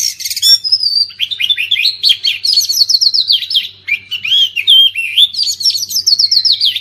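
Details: Oriental magpie-robin singing, meant to stir mute magpie-robins into song: nearly seven seconds of fast, varied whistled phrases with swooping slurs and trilled runs. A low steady hum sits beneath.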